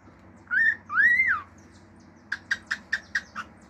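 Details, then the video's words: Male cockatiel kept as a pet, giving two rising-and-falling whistles followed by a rapid run of six short clicking notes. "CALOPSITA MACHO CANTANDO CANTOS NATURAIS, FIU-FIU, ESTALINHOS ENTRE OUTROS"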